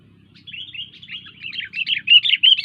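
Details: Sooty-headed bulbul singing actively: a continuous chattering, warbled run of quick notes that grows louder and denser toward the end. A faint low hum sits underneath.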